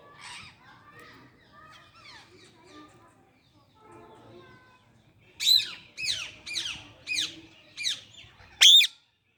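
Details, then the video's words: Parrot at full voice: soft chattering and mumbling at first, then six loud, harsh squawks spaced about half a second apart, the last one the loudest. "Parrot full power use to voice"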